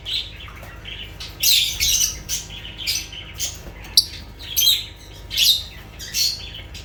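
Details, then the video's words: Lovebird squawks, harsh high screeches in bursts about every half second to second, with a sharp click in the middle. "Sounds of lovebirds"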